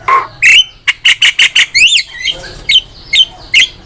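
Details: Vigorous Javan myna song for training songbirds: a nasal note, then a quick row of loud harsh chacks, a fast trill, and a few sharp whistled chirps.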